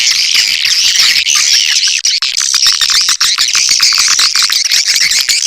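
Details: Swiftlet lure call. A dense, continuous chorus of high twittering chirps from many birds, shrill and overlapping, with no pauses.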